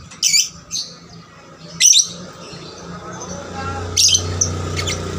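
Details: Young lovebird, a diligent singer used to prompt others to sing; a few scattered piercing chirps with long gaps, over a steady low hum and faint murmuring.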